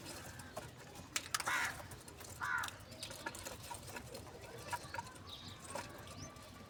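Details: A crow, apparently calling for food in the morning, gives two harsh, hoarse caws about a second apart over a steady outdoor hiss with scattered clicks.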